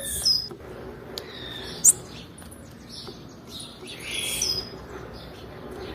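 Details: Female blue-black grassquit call, used to stimulate males: a few brief, very high, thin chirps spaced irregularly over several seconds, with a soft hiss between them and a faint lower whistle in the background.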